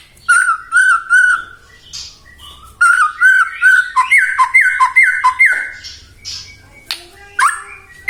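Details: White-rumped shama song used to make other shamas sing: clear whistled notes repeated in sets, building into a rapid descending trilled series, followed by harsh scratchy notes.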